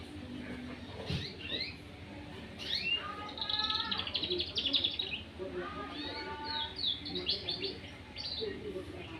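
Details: Young canary, two months old, practising its song: jumbled bursts of rapid chirps and buzzy trilled phrases with clear whistled notes, varying in loudness, over faint background voices and hum.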